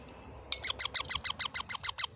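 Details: Parrot, having eaten a tomato, utters a steady series of about eleven harsh, scratchy screeches, each note falling slightly in pitch, repeated roughly every sixth of a second.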